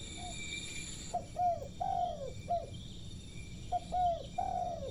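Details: Spotted dove perched on a lamp post, cooing in short phrases: low mellow notes in pairs and triplets, the last note longer and drawn out, over steady insect hiss and faint background noise.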